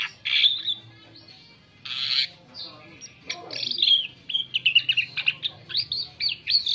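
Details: Asian pied starling lure song: two harsh squawks open, then a fast run of varied whistled and chattering notes, rising and falling, growing busier toward the end.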